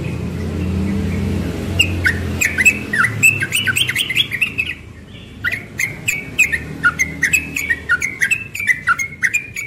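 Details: Morning ropel song of a young yellow-vented bulbul: quick runs of bright, slurred chirping notes rattled off in rapid bursts, a brief pause midway, then more fast note strings; low hum in the background at first.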